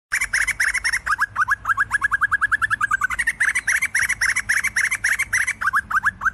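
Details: Sumatran laughingthrush (Garrulax bicolor) gives a fast, chattering series of short notes, several per second, with overlapping voices like a noisy group, over a thin underlying hiss.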